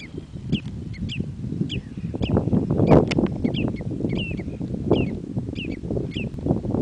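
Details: Red-necked Phalaropes, a pair copulating, give short, sharp, high chipping notes, several each second and loosely spaced, over a steady low rumble of wind or water.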